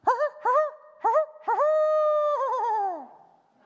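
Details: Barred owl (Strix varia) at night, giving four quick, wavering hoots, then a long drawn-out note sliding down at the end, the 'who cooks for you all' rhythm.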